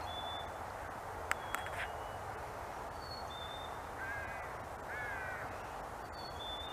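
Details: Black-capped chickadees trading fee-bee, or cheeseburger, songs: thin two-note whistles, high then slightly lower, recur through the recording, while a few hoarse caw-like calls and two sharp clicks also sound.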